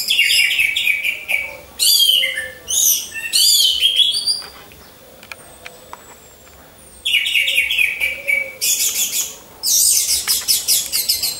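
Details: Orange-headed thrush song used as a lure for training: loud bursts of rapid, varied whistled and rattling phrases in several blocks, separated by a quiet gap of about three seconds.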